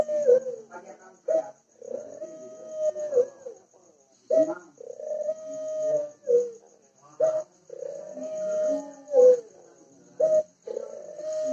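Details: Ringneck dove cooing: a sharp clipped note followed by a long steady mid-pitched coo ending in a short drop, the phrase repeated about every three seconds.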